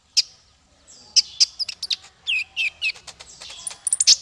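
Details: Male Van Hasselt's sunbird song, used to tutor songbirds: after a lone sharp chirp, a busy jumble of high thin whistles, short trills and sliding notes builds toward a shrill finish.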